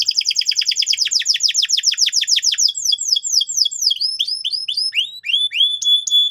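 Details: Canary sings a vigorous lure song for young canaries. A long run of fast, steeply descending chirps repeats several times a second, shifting into crisp rising whistles and flat high notes.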